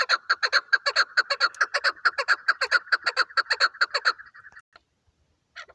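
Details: Chukar partridge calling, described as a hunting chukar: a fast series of harsh clucking chuk notes repeated about twice a second for four seconds, then a brief trailing whistle and a lone note.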